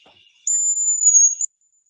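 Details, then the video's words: Male hazel grouse, a very shy bird, in Finland in June, singing: a single very high, thin, drawn-out whistle of about a second, nearly level in pitch, slightly lifting at each end, like someone whistling. "that's the song of the male hazel grouse they're a very shy bird"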